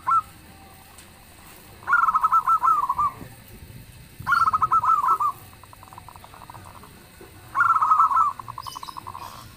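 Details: A local zebra dove (perkutut) gives three bouts of its song, each a quick run of soft, bubbling coos ending in a purring trill, repeated every few seconds.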